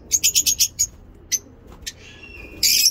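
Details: Lovebird ngekek song recorded in a mini zoo on a morning: a quick run of five piercing chirps, scattered single notes, then a harsh sustained shrill burst at the end.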